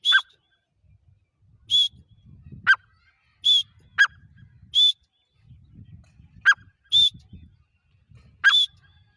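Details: Francolin giving a repeated call: rasping high buzzy notes mixed with quick downward-slurred notes at irregular intervals of about a second, over soft low background rumble.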